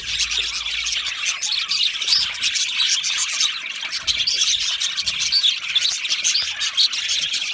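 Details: A lively aviary of Australian budgie parrots produces unbroken chirping and chattering, with brief clearer whistled notes surfacing above the busy, scratchy mass of calls.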